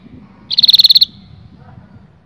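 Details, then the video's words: Canary singing to stimulate males and females to mate: a single brief, high, rapid trill of about ten evenly spaced pulses lasting half a second, followed by quiet background. "التغريد الاقوى في عالم طيور الكناري لتهيج الذكور وتهيج الاناث على التزاوج"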